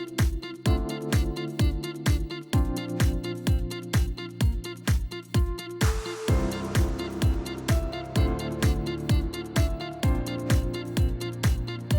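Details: Steady electronic dance music with a thumping four-on-the-floor beat and sustained synth chords; no animal sounds are heard.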